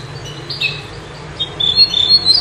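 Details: A songbird (bouh) sings, played to tutor goldfinches: thin, high chirps, then a quick run of bright twittering notes in the last second, over a faint low hum.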